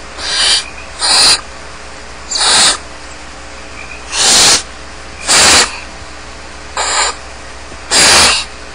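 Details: Unattended young barn owls in their nest at Starr Ranch beg with loud, noisy hissing screeches, eight short bursts in under nine seconds, some overlapping in quick pairs, with a constant faint background hum.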